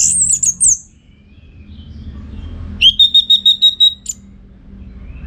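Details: Orange-headed thrush singing loudly, as training audio for contest birds: a short twisting high whistle, a pause, then about eight rapid identical piping notes on one pitch and a sharp closing note.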